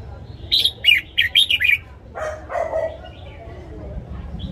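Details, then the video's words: Red-whiskered bulbul kept in a cage sings a fast phrase of five crisp warbled notes in the morning, followed by a lower, harsher sound and quiet background. "Luyện giọng chào mào hót sáng"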